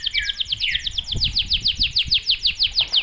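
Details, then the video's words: Canary in persistent rapid-fire song, used as a master recording to prompt young canaries to sing: a fast, even run of bright downslurred notes, about six per second, with a brief lower whistle near the start and faint low thumps behind. "Gacor dorTembakan rapat kenari bahan ikut buyi"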